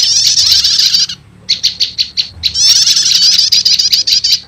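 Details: Wild prenjak lumut are called in with this combined prenjak lumut and prenjak setater prinia lure: a buzzy trill, a short silence, a run of separate sharp chirps, then another fast rattling trill.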